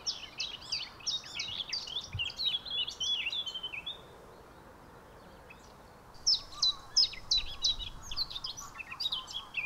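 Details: Eurasian blackcap (Sylvia atricapilla) song: quick, high, scratchy warbled phrases in two bursts of about four seconds each, separated by a short pause, over faint hiss. Recorded 18 December 2021 in the Alblasserwaard, Netherlands.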